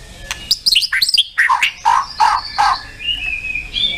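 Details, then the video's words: White-rumped shama, a competition songbird, giving a rapid run of high chirps, then several fuller, lower notes and a soft trailing whistle. "TEMBAKAN MURAIBATU & ISIAN LENGKAP"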